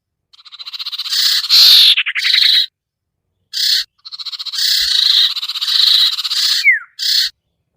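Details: Lure recording of sirtu bird calls for birds that are hard to bring down: a quick rattling trill, then long raspy buzzing phrases separated by a clear pause, ending with short buzzy notes.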